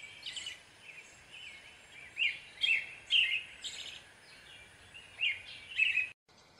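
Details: American robin singing soft then louder whistled, slurred phrases in quick succession, several with thin high squeaky notes, before the recording cuts off abruptly near the end; low steady background hiss.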